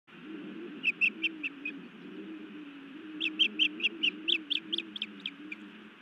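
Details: Female osprey at a Montana nest scolding her mate on the evening of 31 May 2017, then biting him; two bursts of sharp, high whistled chirps, about seven quick notes then a longer run, over a steady low rumble.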